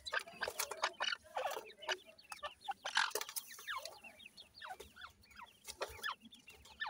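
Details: Grey francolin chicks fighting: dense, overlapping bursts of short, sharp, downslurred chirps and squeaky cheeps from several young birds, rapid and irregular, with a thin, steady background hiss.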